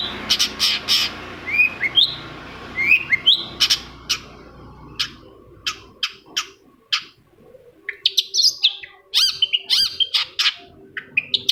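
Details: Shrike lure song meant to provoke a silent shrike: scattered sharp clicks and short whistled slurs with uneven gaps, then a livelier run of bright chattering notes near the end over a faint low hum.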